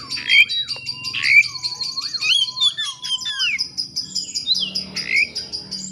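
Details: Excited Oriental magpie-robin singing to provoke a rival: bright looping whistles that swoop down and up, repeated about once a second over high rapid chattering notes, with a low steady hum behind.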